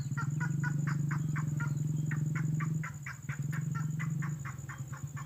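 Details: Lure sound of the red-headed lovebird for attracting birds: a run of scratchy chirps, about three per second, over a strong low hum that weakens after three seconds; a brief click near the middle.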